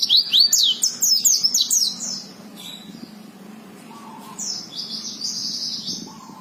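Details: White-eye (pleci) giving a loud, fast warbling run of high twittering notes, followed by softer, wavering thin phrases and faint lower chirps in a quiet setting.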